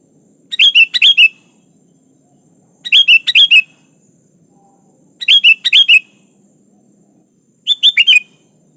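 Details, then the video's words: Four evenly spaced bursts of song from a sooty-headed bulbul calling a rival. Each burst is three or four quick, bubbly, slurred notes, recurring about every two and a half seconds against a quiet background. "Suara burung kutilang gacor memanggil Lawan"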